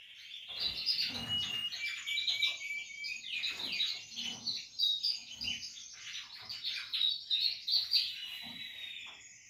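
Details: Portuguese Harlequin canary chicks, captive-bred, calling in a dense continuous chorus of high, buzzy, rapidly repeated chirps with soft low thumps underneath.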